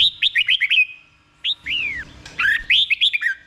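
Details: Caged red-whiskered bulbul song in Thailand, played for other caged bulbuls to learn; bright whistled notes, a quick run of short rising-falling phrases, then a long descending slur and more warbled phrases after a pause.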